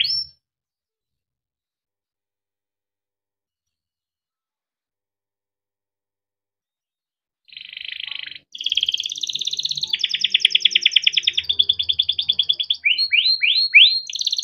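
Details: Song of a yellow Timbrado canary. A brief note opens, then a long silence. Then comes a buzzy burst, rapid rattling trills with a high overtone, and a run of quick falling whistled notes.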